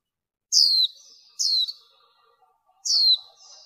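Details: A female warbling white-eye gives three thin, high notes that sweep sharply downward, each about a third of a second long and a second or so apart, over a faint background twitter. The recording is used as a lure call.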